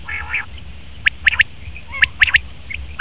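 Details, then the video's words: Male common quail giving short, sharp, clipped notes in a rapid two-to-three-note pattern, preceded by a soft, buzzy, harmonic phrase; steady low background rumble. "Best Common Quail Male sound/Nar batir ki awaz"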